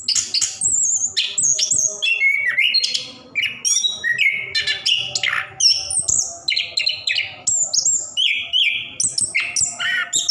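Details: Long continuous song of an orange-headed thrush (anis kembang), used as a lure for caged birds reluctant to sing: a dense stream of rich whistles, quick trills and high chirps, changing phrase every second or so.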